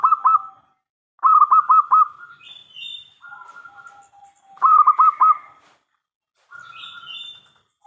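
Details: Zebra dove, a local bird with a strong crystal-toned voice, sings to provoke answers from other doves. Rapid pulsed coo phrases of four to five beats repeat, separated by smooth sustained tones and short higher chirps.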